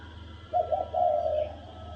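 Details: Spotted dove calling in the thổ đồng style to spur males to fight. A low, husky coo: two quick notes, then a sustained note that fades, with a soft hum beneath.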